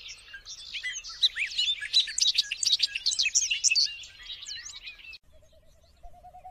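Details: Bubbling, banjo-like song of a Bobolink, a continuous five-second tumble of tinkling, twisting notes that fades out, followed by a faint low repeated tone at the end.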